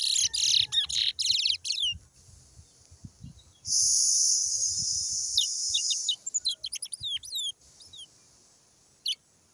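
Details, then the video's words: Brown towa towa from Guyana: rapid high chirps and sweeping downslurred whistles, then a steady loud hiss, followed by scattered short chirped notes. "BROWN TOWA TOWA BIRD IN ACTION"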